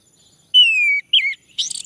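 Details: Male orange-headed thrush, played to prompt singing: a long, pure whistle gliding slowly downward, then a short looping warbled note, ending in a harsher, scratchy burst.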